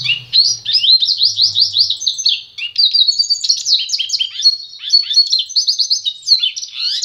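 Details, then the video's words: A pintagol, goldfinch × canary hybrid (mule), sings a fast, unbroken high twitter of rapid sweeping trills and chirps, with a faint low hum early on. "Pássaro Pintagol"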